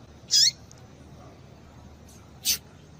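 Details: Female papa-capim (yellow-bellied seedeater) piping to excite males: two crisp, high chip notes about two seconds apart, the first with a falling tail, in a quiet setting.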